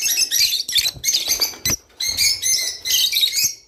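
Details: Rice finch song, said to stimulate mating: dense, high, tinkling chirp bursts forming a nearly continuous twitter, with a brief sharp knock partway through.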